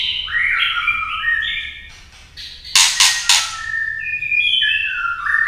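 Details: Female white-rumped shama singing to stir males: fluent descending whistled phrases, a short gap, three harsh clicking notes, then more bright stepped whistles.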